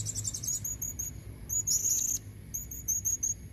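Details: Quick series of sharp, high squeaky notes from a female blue-crowned hanging parrot luring red-necked males. A dense rasping burst comes midway, then the evenly spaced squeaks resume.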